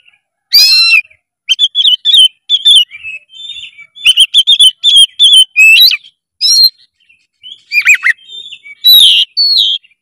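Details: Oriental magpie-robin in energetic, full 'gacor' song: loud, varied bursts of sharp whistles, chirps and trills, some sweeping up and down, delivered in rapid phrases separated by short pauses; no other sounds.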